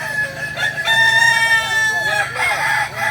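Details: Balenggek crowing chicken in training at Ampang Kualo, Solok, giving a long level crow with clear stacked harmonics, followed by a burst of short bent notes, other roosters audible behind.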